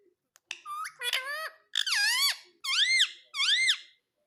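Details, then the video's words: Green pet parrot making five bursts of harsh harmonic calls. The last two are arched whistled squawks that rise and fall, about one per second, clear and close. "मे तोता हरे रंग का || मिट्ठू की आवाज बहुत प्यारी है"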